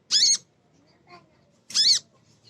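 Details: Two harsh, loud chip notes from a female kolibri ninja sunbird, a lure meant to provoke birds into song, separated by about one and a half seconds of near silence.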